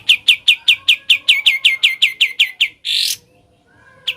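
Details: Sooty-headed bulbul singing in ngebren style: about fourteen sharp, high chirps repeated evenly at roughly five per second, then a brief harsh noisy burst and a lone final chirp.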